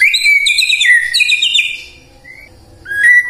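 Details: White-rumped shama singing, used as a prompt to get the bird singing morning, midday and afternoon; loud rich whistles with bright overtones, a pause, then short rising whistled notes.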